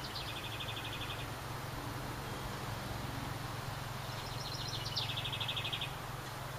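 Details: House wren nesting in a decorative ceramic birdhouse by a cabin in summer sings two bubbly, rapid trills of high, repeated notes, the first early and the second a longer, descending run near the end, over steady low hum.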